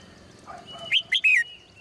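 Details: Caged female bird in the morning. A few soft, low notes lead into a single loud phrase of three quick, downslurred chirps, with a thin whistle trailing after.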